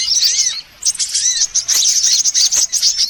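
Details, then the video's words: Several sunbird kinds calling together as a bird lure: shrill twitter with two arched whistled notes, a brief silence, then rapid high tinkling chatter to the end. "Suara pikat semua jenis burung kolibri"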